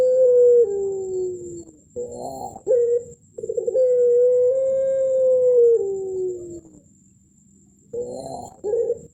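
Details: Champion puter pelung, a Barbary dove, singing the contest melung song with thick ending: a sustained tone drops away, bubbly coo bursts answer, then a long smooth note held steady before easing downward, followed by more short coos.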